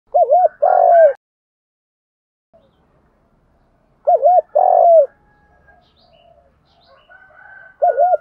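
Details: Spotted dove with a country-style voice, used as a decoy to stimulate other doves to call, giving short mellow coo phrases of paired notes and a longer drawn coo, repeated after a silent pause of about three seconds.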